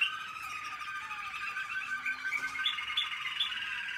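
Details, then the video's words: Canary of the American Singer breed in training, 2021, giving a dense, sustained warble of layered tones, then bright, repeated chip notes toward the end. "American singer canary"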